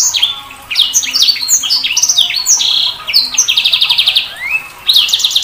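A Sanger bird pours out a rapid, varied song of high chirps, slurred whistles and buzzy trills, barely pausing, with a faint background hum.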